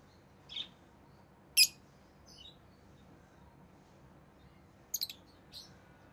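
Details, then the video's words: Rosy-faced lovebirds, orange-faced green and red-headed green, give scattered short, high, piercing chirps, single and doubled, separated by pauses of several seconds against a quiet background. "Rosy Faced Lovebird Chirping Sounds"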